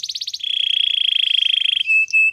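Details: A canary in training song gives a few pulsed notes that run into a fast, even rolling trill, followed by two short flat whistles.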